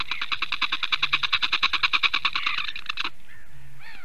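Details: A female Eurasian bittern in Latvia, defending and calling loudly at 8:42 AM on 28 April 2022, gives a fast, harsh run of nasal notes, about eight a second for three seconds, then a few softer downslurred calls.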